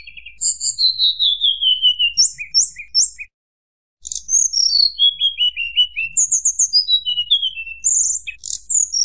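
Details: Tledekan gunung singing to provoke rival birds: clear, high whistled phrases, each a sharp note followed by a long descending slur, with bursts of rapid high chips and a short pause midway.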